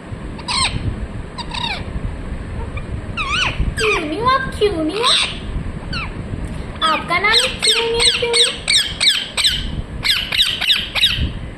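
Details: A talking parrot repeating 'mithu mithu': harmonic, speech-like phrases with swooping tones, then a fast burst of sharp, high squawky syllables toward the end; light background hiss.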